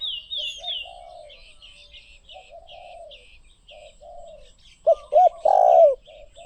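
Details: Spotted dove song: soft, faint coos at first, then one loud phrase near the end of two quick coos and a drawn-out rolling coo, with steady high chirping of other birds behind.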